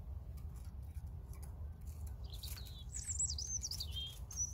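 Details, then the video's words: European robin song: thin, high, rapidly wavering whistled notes and trills in the second half, after a quiet start, over a constant low rumble. "Саҳарқуш (Erithacus rubecula)"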